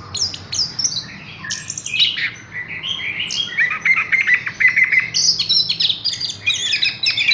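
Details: Caged Horsfield's bush lark pouring out a busy, varied song of high twitters, short trills and repeated chip notes, with nearly no breaks.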